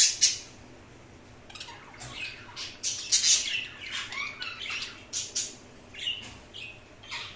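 Indian ringneck parakeet giving short, harsh chirps and squawks in irregular bursts, high-pitched and scratchy, with brief gaps of quiet between.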